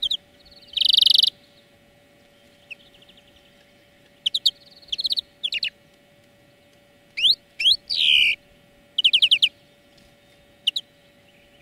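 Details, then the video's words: European greenfinch song from a song lesson: a short loud wheezing buzz, then scattered quick chirps, short trills and a downslurred nasal note spread out with pauses. "Florya Ötüm Dersi"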